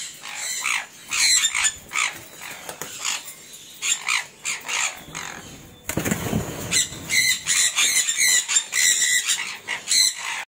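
A sun conure gives loud, harsh, piercing screeches in rapid bursts.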